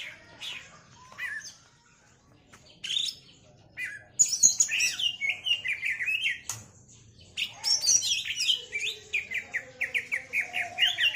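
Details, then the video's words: Greater green leafbird (cucak ijo) in 'setting betina' form, delivering a rich song full of isian fill-in phrases: bursts of high chirps, then a long run of quick, sharp, repeated notes with brief pauses between phrases. "Cucak Ijo Setting Betina, Muntah Isian Mewah"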